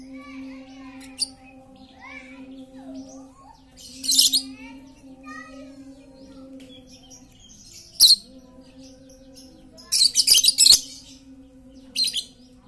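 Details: Lovebird lure recording of a very chatty bird: scattered harsh screeching bursts, including a rapid cluster near ten seconds, over a steady low hum and light background chirps.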